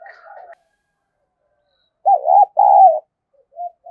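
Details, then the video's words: Female spotted dove cooing to excite males: a soft murmured coo opens, then after a pause two loud, husky coo notes with quick wavering arches, followed by a faint short coo. "cu mái gáy kích trống hiệu quả, trống nghe rất phấn khích và nổi nhanh"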